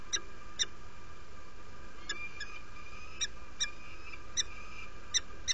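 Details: At a Derby, UK nest on an early February 2017 morning, a female peregrine falcon arrives and invites: clipped, bright chup notes in loose pairs, around nine calls, with a faint background drone.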